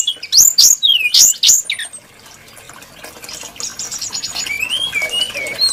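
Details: Brown-chested jungle flycatcher, valued by bird keepers for its varied, melodious voice, delivers a quick run of sweeping, high whistled notes, bright and rising-falling. Softer, thinner twittering phrases follow, with faint running-water noise behind.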